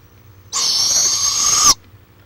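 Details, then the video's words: Barred owl in Florida, March 23, 2015, on a live camera: one steady, hissing screech lasting about 1.2 seconds. It grows a little louder before stopping abruptly, with quiet before and after. "Barred Owl"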